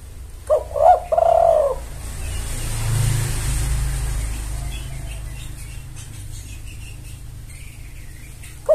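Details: Spotted dove call meant to draw in males: a single stuttered phrase ending in a long falling coo at the start, then a passing vehicle rumble and quiet background, with another phrase just beginning at the close.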